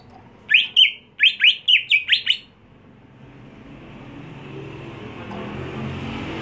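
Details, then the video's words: Captive greater green leafbird, trained for singing competitions, gives six quick, loud chirping notes in a row before a swelling rush of passing road traffic takes over. "Membuat Cucak Hijau Mental Rumahan Jadi Garang Di Gantangan"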